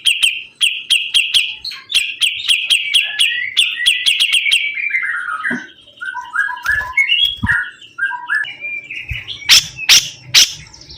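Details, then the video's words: Sibuntung bird in energetic song: a fast run of sharp, clipped notes near one pitch repeated several times a second, sliding into lower warbled phrases, then loud snapping clicks and rough bursts near the end. "BURUNG SIBUNTUNG GACOR"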